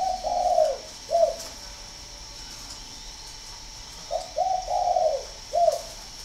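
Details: Spotted dove at a breeding farm in Ba Vì, Hanoi, northern Vietnam, heard finishing one phrase with a long coo and a short coo, then after a pause giving another full phrase of quick, drawn-out and clipped coos.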